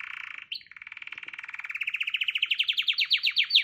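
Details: Canary song built on a long rolling trill that starts low and buzzy, then climbs steadily in pitch and speeds into sharp, ringing repeated notes.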